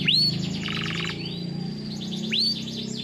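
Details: Canary song for training, with rising whistled slurs and a brief rapid trill over a background hum.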